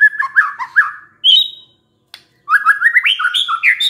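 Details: Lure recording of a White-rumped shama, meant to prompt a stressed bird into singing: rolling whistled warbles, a clear high slurred note, a pause, then a fast run of varied rising and falling whistles.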